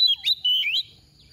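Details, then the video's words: Brief fragment from a soft-voiced female oriental magpie-robin decoy: two or three quick whistled notes sliding up and down, then silence. "Choè than mồi mềm hót tìu tíu tiu"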